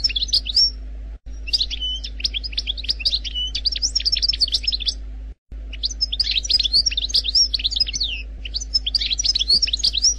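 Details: Algerian goldfinch song in two long bursts split by a short pause, packed with rapid high tinkling chirps, liquid twitters and short sliding whistles, over a low steady electrical hum.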